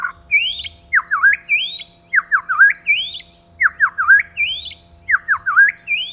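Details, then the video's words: White-rumped shama pair, male and female, singing a clear, repeated phrase: a sharp downslurred double whistle followed by a rising whistled note, the sequence returning roughly every one and a half seconds. Faint low thumps sound beneath. "Choè lửa mái. Choè trống + mái kích lửa.choe lua mai.pancigan muraibatu . 长尾快乐鸟.singing birds."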